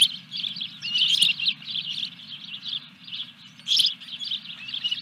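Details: Osprey at Dunrovin Ranch, 14 July 2021, during a fish delivery to the nest: rapid chains of high chirps that swell and fade, with a sharp louder burst near the end. A low steady hum persists.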